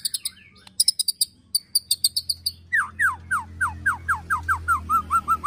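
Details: White-rumped shama in agitated ketrekan style with a cililin and prenjak tir filler, used to provoke and train birds: a burst of sharp high clicks and chips, then a series of descending whistled notes, about one per third of a second.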